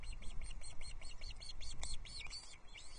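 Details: Osprey chicks at a Loch Arkaig nest on 13 June 2024 calling while being fed a huge trout amid sibling fighting; a fast unbroken series of thin, piping chirps, about five per second, over low wind noise.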